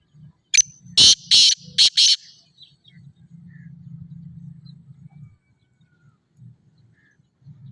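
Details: Sindhi black francolin delivering its harsh call: a crisp first note and four rasping, buzzy bursts within about a second and a half, then a low droning hum in the background.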